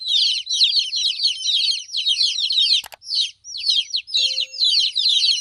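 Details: Crowded chick peeping: rapid, high, sliding notes in tight bursts, interrupted by a sharp click around the middle and a brief faint tone afterward.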